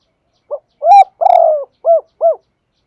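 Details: Spotted dove song used as a lure to make wild doves call, recorded without background noise: five mellow, hollow coos, the second and third longer and louder with a trembling middle, the last two short and evenly spaced.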